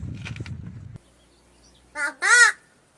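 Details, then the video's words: A crow at Gargaon village, Wada taluka, Palghar district, being offered food, imitates human speech with two hoarse, word-like syllables, the second longer and arching in pitch, after a second of low rumbling background noise. "हा आवाज आहे एका कावळ्याचा आणि हा कावळा माणसांप्रमाणेच बोलतोय बरं का"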